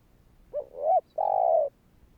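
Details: Spotted dove cooing to provoke other doves into calling: a single soft, low phrase of a brief rising note followed by a longer, steady, hollow coo, with no other sounds.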